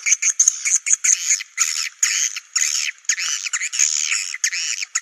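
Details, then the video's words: Swiftlet sound for luring birds to roost in swiftlet houses: harsh, chirping twitter bursts with thin, bright whistled overtones, broken by brief pauses every half second or so. "Suara walet super max"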